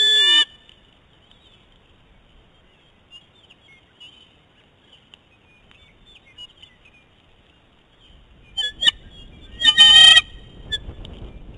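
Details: A male eagle eats prey in front of his young mate on their nest, which leads to a dispute. A brief loud whine opens the clip, then a long quiet spell, then a louder cluster of harsh whining calls, with background rustle.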